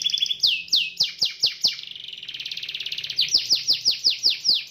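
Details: Canary in vigorous song aimed at prompting a rival to sing: falling swoops, a soft rapid trill, then another run of loud descending notes.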